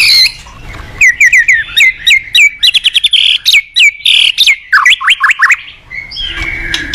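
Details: Morning song of a white-rumped shama, used to coax cage birds into singing: crisp downslurred whistles repeated rapidly, three to four each second, ending in steeply rising notes and a soft scratchy trail.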